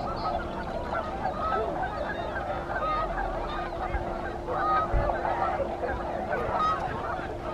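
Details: Thousands of tundra swans pause at Alymer to rest and feed on their spring journey toward the Arctic. A thick, unbroken flock chorus of crooning, bugling honks, some clearer higher notes standing out, over a constant low hum.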